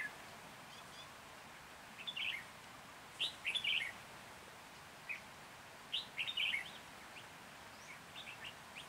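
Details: Red-whiskered bulbul decoy singing during trapping near Hoa Binh, Vietnam, 14 January 2021: lively warbling phrases of quick whistled notes, two fuller bursts about three seconds apart, plus scattered softer chirps.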